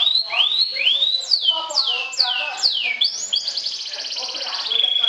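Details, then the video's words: Atlantic canary, a champion trilling singer, sings to provoke rivals. Loud rising and falling slurred whistles come about twice a second, then run into a dense buzzy trill ending on a short steady tone. "SUARA KENARI SOBEK SOBEK JUARA NGETRIL TAKLUKAN LAWAN, PANCING EMOSI"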